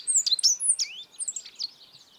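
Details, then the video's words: A Godlewski's bunting (Emberiza godlewskii) from the mountain Altai, Siberia, sings a quick, high jumble of thin, sharp notes with fast sweeps and buzzy slurs, fading into softer trailing notes. "Как поёт овсянка годлевского"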